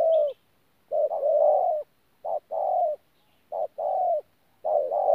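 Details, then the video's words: 'Pha gù' cooing from a wild-caught spotted dove, Tu Mơ Rông, 14 January 2019: deep, mellow coos, the short lead note sometimes doubled before a long, slightly wavering note, repeated four times. "BỔI THỔ PHA GÙ QUÁ TỐT"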